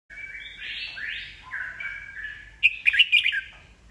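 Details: Red-whiskered bulbul, an old wild-caught bird kept by bird fanciers, singing to provoke rivals into competitive song: long slurred whistles sliding up and down, then a loud burst of rapid chattering notes near the end.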